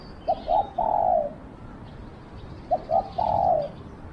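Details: Decoy spotted dove calling to wild doves, two identical phrases about two and a half seconds apart, each with clipped introductory notes then a long, slightly falling coo.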